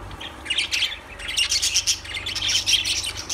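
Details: Lovebird chatter: quick high chirps and squeaky tweets overlapping in bursts, growing busier after the first second, with a faint constant low hum behind.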